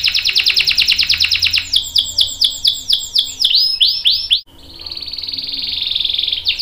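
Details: Canary long-roll song used to train young and adult birds, opening with a rapid high trill, then slower descending swept notes and a steady buzzy roll.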